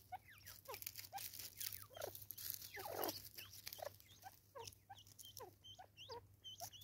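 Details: Natal spurfowl recorded in South Africa in 2024, giving a raucous call: a rapid series of short, harsh, chirping notes that sweep up and down, with a louder rasping burst near the middle and steady low hum underneath.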